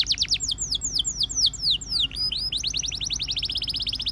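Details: Russian canary singing a series of loud descending slurred whistles, a brief pause with upward sweeps, then a rapid buzzy trill of repeated high notes.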